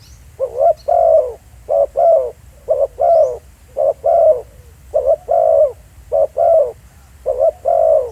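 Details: Field recording at Pha Sing of a spotted dove calling steadily. Repeated hoarse double coos, short then long, follow about once a second over a quiet background.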